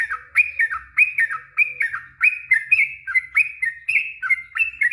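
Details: Lure song of a Yellow-vented bulbul, the long 'ropel panjang' style meant to draw an answer from a quiet bird: rich, gurgling notes with rising and falling slurs, delivered in a steady quick chain with faint low hum beneath.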